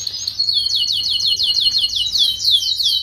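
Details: Paud canary song for tutoring young flock-kept canaries; a rapid, even run of high downward-slurred chirps repeated several times a second, bright and continuous throughout.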